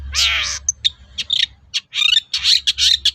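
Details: Long-tailed shrike in full song, used to draw replies from other shrikes, opening with a long rasping hiss and continuing with scratchy, squeaky notes and harsh rattles; low background rumble throughout.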